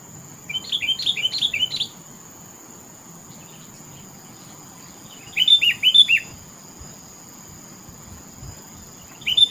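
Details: Sooty-headed bulbul (kutilang) singing melodiously: two bursts of quick, bubbly whistled phrases, each about a second and a half long and separated by a pause, with a steady high hiss in the background.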